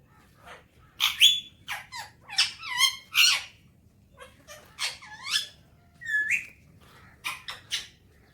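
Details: Morning vocalising of a pet talking Alexandrine parakeet, whose speech is in Urdu or Hindi: a varied stream of short sliding, chattering syllables and sharp squeaks over about eight seconds, with uneven pauses.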